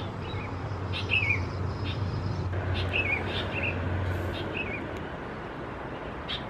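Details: Sooty-headed Bulbul chicks (Pycnonotus aurigaster thais), Khao Yoi district, Phetchaburi, Thailand, June 2020: a string of brief descending chirps and clicks, somewhat soft, over a steady low rumble like passing traffic.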